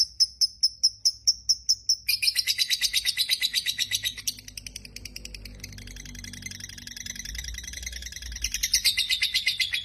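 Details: Dakocan lovebird singing energetically, used to encourage lazy lovebirds to sing; opens with evenly spaced sharp high clicks, then breaks into rapid buzzy chattering that fades and swells again.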